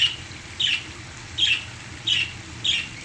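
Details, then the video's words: A pet parakeet singing along to a waterfall gives four short, bright, slightly squawky chirps, roughly every two-thirds of a second, over the steady hiss of falling water. "parakeets singing"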